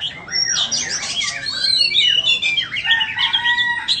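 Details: Continuous rich song of a white-rumped shama, known in Vietnam as chích chòe than bông: dense tumbling whistles, rapid rising and falling slurs, and a few lower steady whistled notes near the end.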